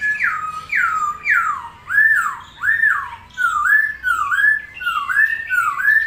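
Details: Unusual-sounding bird calling: loud whistled notes, each dropping then hooking upward, repeated roughly every half second to second, clear and tonal in a quiet setting.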